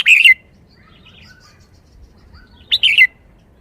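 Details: Red-whiskered bulbul in a cage sings brisk, clear chirping phrases that open and close the stretch. Soft, distant twitters fill the quiet gap between them.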